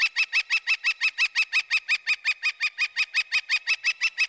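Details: Northern Flicker uttering a loud, repetitious wick-wick-wick call, a steady unbroken series of about twenty sharp, ringing notes delivered evenly at roughly three per second throughout.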